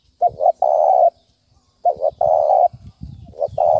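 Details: Spotted dove in the thúc bổi style used to attract birds for trapping: phrases of two short coos leading into a long sustained coo, repeated three times. Low-pitched rumbling noise is heard underneath.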